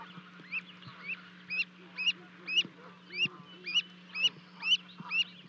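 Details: As two Canada goose goslings jump from their 30-foot nest in Charlo, Montana, to join their parents on 12 May 2020, a livecam picks up shrill, rising peeps at a steady rate of about two per second. Faint lower calls and a constant hum sit beneath them.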